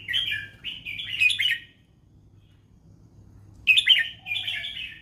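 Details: Red-whiskered bulbul in the fancy 'mae bot lak wai' song style: a chirpy warbled phrase of quick notes, almost two seconds of silence, then another bright, rolling phrase.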